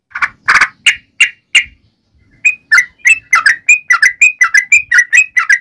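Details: Yellow-vented bulbul singing actively to call its companions: a few loud, rich opening notes, a short pause, then a fast bubbling chatter of clear whistled notes, about three per second, rising and falling in pitch.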